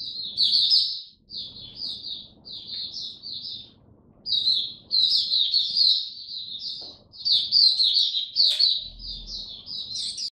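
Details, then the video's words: Captive white-eye recorded 3 November 2022, fifteen days into a song-display supplement, delivering bouts of quick, high, sweet twittering notes separated by a few short pauses, with faint low background noise. "Mata Puteh Buka Sing"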